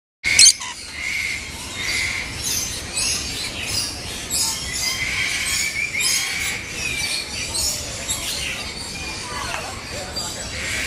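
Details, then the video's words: Lories and lorikeets at Jurong Bird Park, Singapore, in a dense chorus of shrill, harsh screeches and squawks that overlap without pause, with a brief sharp knock at the start. "Lories & Lorikeets!"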